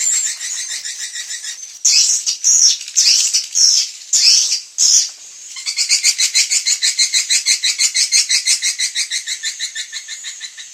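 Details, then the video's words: Swiftlet lure call for evening roosting: high chirps that break into a few loud, broken bursts, then settle into a steady rapid pulsing chatter of about one and a half notes per second that fades slightly. "SUARA BURUNG WALET - INAP SENJA"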